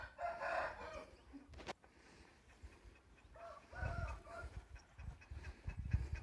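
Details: A golden-coloured Indian gamecock (galo índio) breeding rooster, of a short-crow line, gives a short, hoarse crow of a few stepped notes lasting about a second, followed by low clucking and rustling.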